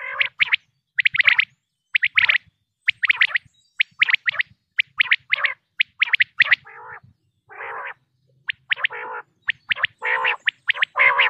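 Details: Common quail in Pakistan: dense, rapid runs of sharp clipped notes in twos and threes, interspersed with lower, harsher grating bursts, almost continuous throughout with little silence.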